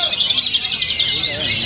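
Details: Oriental magpie-robin (kacer), a contest bird in its tenth year of competing without ever failing to place, kept on routine care; a dense, continuous run of high, rapid chattering and warbled notes with no pauses.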